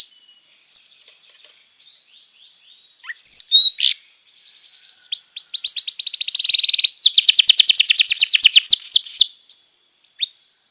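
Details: Training song of a canary for young canaries: scattered short whistles open, then a long rolling trill of rapid, evenly repeated swept notes lasting about five seconds before fading to single chirps.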